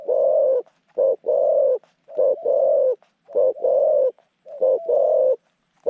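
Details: Decoy zebra dove, praised for cooing well and long, working to lure wild doves into a pen trap; steady rolling coos paired short-then-long, repeated about every second, clean background.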